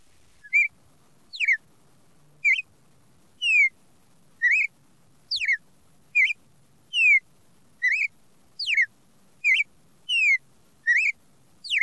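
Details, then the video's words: Red-crested cardinal delivering its classic song: a steady run of about thirteen loud whistled notes, nearly one per second, alternating upslurred chirps with steeply and gently falling slurs, against soft low background noise. "CARDEAL DO SUL CANTO CLÁSSICO"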